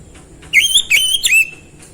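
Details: Oriental magpie-robin, a kept songbird, singing three loud whistled phrases, the first slurred upward and the others held level and bright, with a faint steady high hiss behind.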